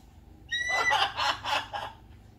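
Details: Pet blue-and-gold macaw outdoors in the morning, kept alongside a redtail black cockatoo: a loud, harsh, raspy squawk that starts with a strained tone and breaks into four rough bursts over about one and a half seconds.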